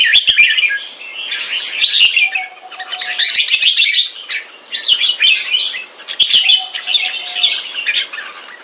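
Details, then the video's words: Red-faced red-whiskered bulbul kept in a cage in the Singapore style sings clear, loud bursts of fast bubbly warbling in about five phrases separated by short pauses, with scattered sharp clicks and a brief faint low tone. "Jambul - สิงคโปร์เลี้ยง นกหัวจุก Red face Pama Dha Burmese sword Clear Loud Keke"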